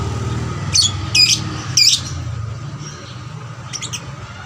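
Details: Young lovebird used as a lure to spur other lovebirds to sing more; three sharp, shrill squawky chirps in under two seconds, then faint high twitters, over a low engine-like rumble.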